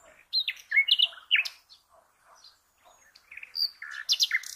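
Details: Common nightingale song played to teach cage birds. Varied short chirps and sharp notes come in uneven clusters, with a quiet gap midway before a lively closing flurry.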